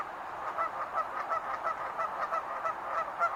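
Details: Rapid, overlapping honks from wild geese, about three calls per second in a busy, uneven stream of nasal notes.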